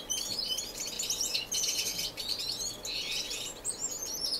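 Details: Several finches sharing an indoor non-breeding aviary in Edmonton, Canada, in March, singing together: a busy, overlapping high chatter of quick tweets and trills, swelling and easing in waves.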